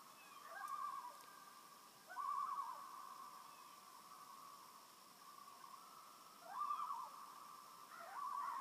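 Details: Loons on a peaceful lake in Maine give wavering, quavering calls in short bursts every couple of seconds over a steady, drawn-out tone, in a quiet, still setting.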